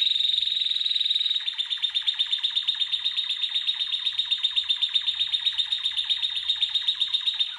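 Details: Red canary singing for training purposes: a thin high trill that changes into a long, even series of rapid pulsed notes, about four per second, ringing and metallic.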